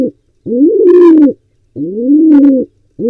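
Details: Wild pigeon in Israel, trying to breed in a nest box also used by barn owls; loud low coos about a second long, rising then level, repeated with gaps, with brief higher rustly bursts mid-coo.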